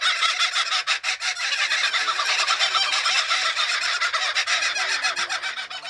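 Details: A male and a female kookaburra, newly put together for breeding and territorial, give loud, harsh cackling bursts about three a second in raucous, almost continuous chatter.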